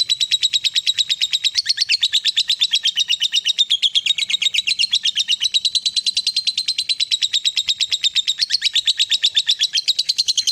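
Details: Long ngekek from a fighter-type lovebird, used to set a lazy lovebird singing: a loud, continuous, rapid chatter of high pulses, steady for more than ten seconds with slight rises and dips in pitch.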